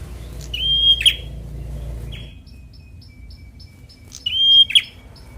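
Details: A semi-young fighter bar-winged prinia sings two phrases, each a clear, level whistle ending in a sharp, explosive snap. Faint short ticking notes fill the gap between the phrases.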